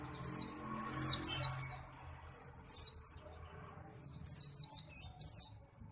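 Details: Malang pleci, a white-eye, gives short bursts of sharp, high, downslurred chirps separated by pauses, ending in a quick cluster of four or five bright descending notes; quiet background otherwise.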